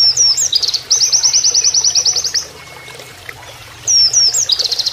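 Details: Oriental white-eye, pleci, singing canary-like master song: a twisting phrase leading into a very fast, even trill of high notes, about a second of quiet, then the twisting phrase and trill again, water faintly behind.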